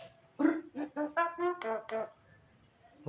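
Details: A tame Javan myna that can imitate people, including a human cough, gives about six nasal, voice-like syllables in quick succession over under two seconds, a human-sounding imitation, with no other clear sounds.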